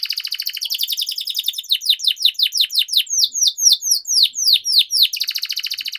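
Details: Canary in active song with long rolls, played to train young canaries and lure silent ones: a dense rapid trill gives way to a slowing series of loud downswept whistled notes, then the fast trill returns.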